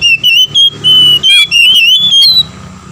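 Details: Answering male and female Oriental magpie-robins, a lure to provoke rival birds: continuous chain of loud, pure whistled notes, some wavering and rising, closely spaced over three seconds with a low hum beneath.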